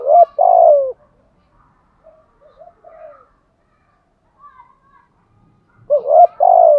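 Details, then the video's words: Spotted dove used as a decoy, cooing in a set pattern. A loud phrase opens and another closes, each short notes and a falling coo, with soft quiet notes in the gap. "Thúc gù bài lối | Cu gáy mồi bài bản"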